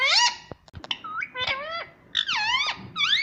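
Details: Parrot in a home mimicking speech, saying words like mummy and papa, in strong harmonic, bending syllables separated by short clicks and brief gaps.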